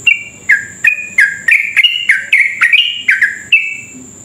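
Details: Yellow-vented bulbul pouring out a fast chattering lure song to provoke rivals into rapid singing. Bright chirps slur downward and follow each other several times a second, backed by a steady high electronic tone.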